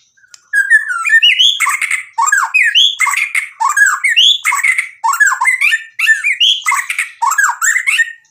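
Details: White-rumped shama singing loud, squawky mixed phrases of rising and falling slurred notes in rapid clusters, each burst about a second, repeated almost continuously.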